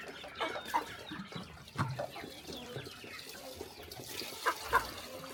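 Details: Chickens gathered at morning feeding on a small rural farm, scattered clucks and brief sharp calls over a low rustle, with a few loud knocks near the end.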